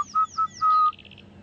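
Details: Orange-breasted bushshrike calling repeatedly on a morning safari drive at Djuma and Arathusa, South Africa, 3 January 2015: clear, level whistles, two short notes then a longer drawn-out one, with faint high chirps from another bird behind.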